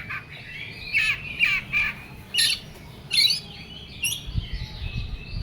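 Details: Oriental magpie-robin singing in an agitated, heated style, with short bursts of rich, slurred whistles and harsh, scratchy notes, separated by brief pauses and with a faint low rumble underneath.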